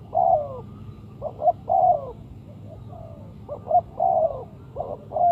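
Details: Spotted dove cooing, used as a lure to trap birds: soft low coos in short groups, a brief double note followed by a longer slurred coo, repeated about every two seconds over quiet background.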